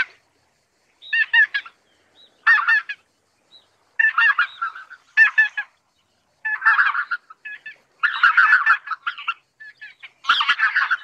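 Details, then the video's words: Greater white-fronted geese produce harsh, chattering, gabbling bursts in clusters separated by short silences, growing denser toward the end as multiple birds call at once. "白額雁/Greater White-fronted Goose"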